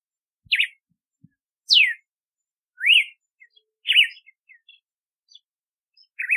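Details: Galo de campina, the red-cowled cardinal, delivers a run of loud whistled notes roughly once a second: zigzag, steeply falling, rising-then-falling, zigzag again, with faint soft chips in the gaps.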